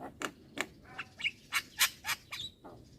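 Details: Young black-winged myna, head-bobbing and singing without pause: a run of short harsh squawky bursts and brief chirps spaced about every third of a second, with one whistled note near the middle, over a quiet background.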